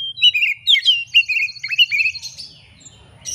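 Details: Oriental magpie-robin lure song, bird excited and seeking a rival: a quick string of downslurred whistles, about two a second, above a high trill, fading near the end.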